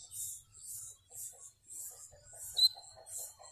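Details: A yellow-bellied seedeater (Sporophila nigricollis) gives high, hissy buzzing phrases about twice a second, with a brief thin whistle midway; faint low murmurs sit underneath.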